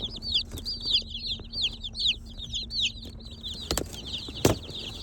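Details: Seventy newly arrived day-old Cornish Cross broiler chicks, snuggled in a car in town, peep nonstop: high downslurred cheeps overlapping several per second, with a low steady hum and a couple of sharp knocks.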